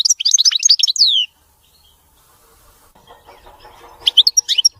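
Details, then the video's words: European goldfinch giving a clean song free of mistakes: a rapid burst of high, liquid twittering notes and swept whistles, a long pause with faint background murmur, then more bright chattering notes at the end. "تغريد ملك الطيور المغردة الحسون (المقنين) نظيف وخالي من الأخطاء"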